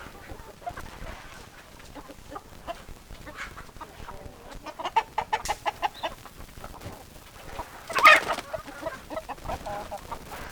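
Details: Hens clucking: scattered soft clucks, then a rapid rhythmic run of sharp clucks around the middle, followed by a loud, harsh squawk-like burst near the end.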